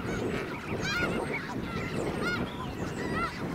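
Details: Migrating snow geese stopping over at Garry Point in Richmond, British Columbia, before continuing south for winter; dense, yelping honks with bent, arched tones tumble over one another against broadband low background rumble.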